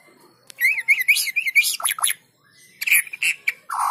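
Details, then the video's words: White-rumped shama lure song for prompting silent birds: a rapid series of high wavering notes repeated about five times, followed by sharp chips and a harsher closing note. "PANCINGAN MURAI BATU GACOR!! Murau Batu Malas Akan segera ikut Gacor"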